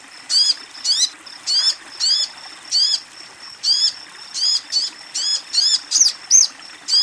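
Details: Female Crimson Sunbird calling for a male: around fifteen high, down-curving chirps in uneven clusters, some doubled, over a quiet hissy background.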